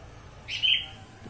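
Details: Black-winged bulbul uttering a single brief, clear chirp that rises and then holds level, against a quiet background hum.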